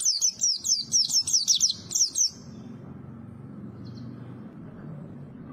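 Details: Small white-eye with a fiery voice sings a quick burst of thin, high, slurred notes in clusters for about two seconds, followed by quiet with a low background hum.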